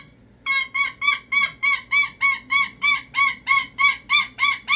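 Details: A pet cockatoo screams steadily in its meltdown, about fourteen loud, grating squawks in a very even rhythm of roughly three per second, after a brief quiet start.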